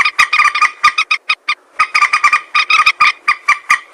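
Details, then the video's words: Hunting-lure recording of common moorhen, locally jal morgi: dense, fast clucking notes with a nasal, buzzy tone, broken by one short gap near the middle. "Moorhen bird hunting voice 2024 | Moorhen birds best sound | Jal morgi ki awaz"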